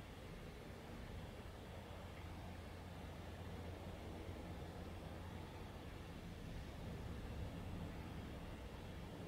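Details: Constant broadband hiss and low traffic-like drone without any distinct calls.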